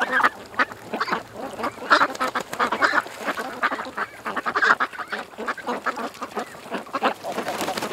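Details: A crowd of ducks by a creek produces a continuous run of harsh, overlapping quacks, some louder nasal calls standing out near two and five seconds.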